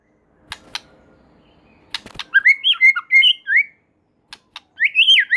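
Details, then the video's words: White-rumped shama in full song said to set other shamas off singing: a few sharp clicks, then a flowing run of varied whistled notes, a pause, and more rising whistles. "Murai Batu Gacor Super Mantul Murai Lain Otomatis Ikut Bunyi"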